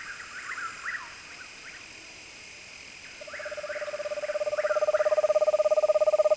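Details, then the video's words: Faint, quick descending whistled notes open the recording. After a quiet stretch, a screech owl begins a level, rapidly pulsed trill that grows steadily louder to the end. "Sounds of the Megascops"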